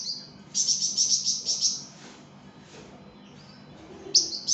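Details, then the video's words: Flamboyan in active song, used to train other songbirds: a rapid series of about eight bright, high chirps, a quiet pause with faint notes, then a new chirping burst. "𝗯𝘂𝗿𝘂𝗻𝗴 𝗳𝗹𝗮𝗺𝗯𝗼𝘆𝗮𝗻 | 𝗳𝗹𝗮𝗺𝗯𝗼𝘆𝗮𝗻 𝗴𝗮𝗰𝗼𝗿 | masteran flamboyan"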